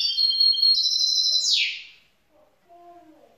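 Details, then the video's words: Young grey-blue goldfinch mule hybrid: a loud, high buzzy twittering phrase ending in a descending rasp, followed by quiet and a faint low tonal sound. "Jeune mulet chardonneret gris bleu"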